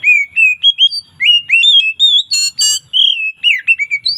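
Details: Oriental magpie-robin (kacer) in relaxed afternoon ngeplong song with variations: a continuous run of loud, clear whistled notes, some rising and some slurred, broken midway by a pair of harsh, buzzy rasps before the whistling resumes.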